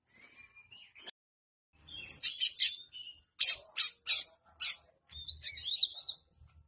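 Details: Harsh, full song of an oriental magpie-robin filled with imitated shrike phrases: a thin whistle, then strong rasping bursts delivered in a choppy series, closing with a rapid tangled chatter.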